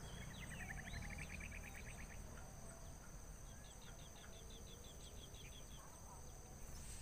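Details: Three nestlings of a bird with white eyebrows in the nest, waiting for food from their mother: rapid series of thin high chips, about four per second, in two runs, over steady insect drone and low rumbling noise.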